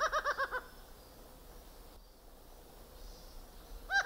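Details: A laughing falcon (Herpetotheres cachinnans) in Guayaquil, Ecuador, gives a quick burst of about five loud, nasal, ringing notes, then a pause and the start of another note, with faint background hiss.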